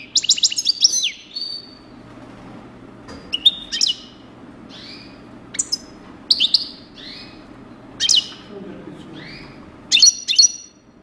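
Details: European goldfinch described as a 'coupleur' singing short bursts of high, bright twittering notes and sliding whistles, phrases separated by pauses of one to two seconds, over a faint low background hum.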